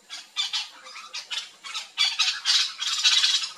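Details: Yellow-chevroned parakeets feeding together on backyard fruit in Brazil, giving short harsh screechy notes in quick bursts, several birds overlapping, growing louder and denser toward the end.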